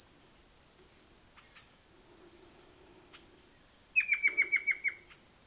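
Rufous-capped Antthrush giving a quick burst of about eight sharp, slightly falling notes at mid pitch, after faint scattered high chips from other birds.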